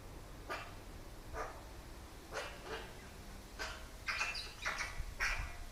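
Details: Curious Eurasian magpie objecting to a camera placed by its food, barking like a small dog in a loose series of short rasping yelps, quicker toward the end.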